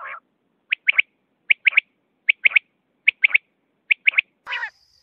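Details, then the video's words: A quail (lawa batair) gives sharp, high three-note calls, about five phrases in quick succession, with a short harsh squawk at the start and end. "lawa batair sound || quail sound"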